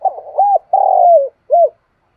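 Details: Spotted dove lure bird calling its flock in the morning, giving a single phrase: a quick opening coo, an arched coo, a drawn-out rolling note sliding downward, and one short final coo.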